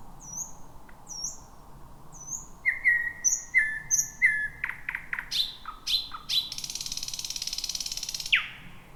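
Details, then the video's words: Thrush nightingale singing at night, first of the 2026 season, from a jungle-like thicket: high whistled notes, repeated piping notes, sharp clicks and a long dry rattle ending in a downward slur. "Whippavoo the Thrush Nightingale 2026"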